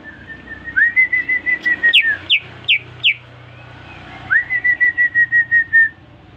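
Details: Newly bought caged greater green leafbird singing after being whistled at: series of clear whistled notes near one pitch, broken by quick steep downward-sweeping strokes, then another run of even whistled notes.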